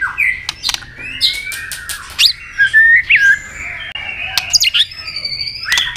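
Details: White-rumped shama in provoking fighting song with tail-snapping: varied whistles and slurred warbles mixed with sharp snapping clicks and short squeaky notes.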